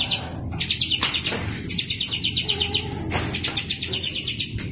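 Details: Long-tailed shrike singing actively: a continuous, rapid high trill of evenly pulsed notes, broken by occasional harsher, wider-pitched chirps.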